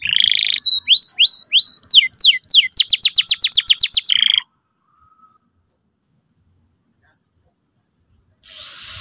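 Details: Canary singing 'gacor' lure song to train a young canary, ending in 'ngeriwik' chatter: rising whistled notes, falling sweeps, and a quick rattling trill over about four seconds, then near silence before faint hiss returns.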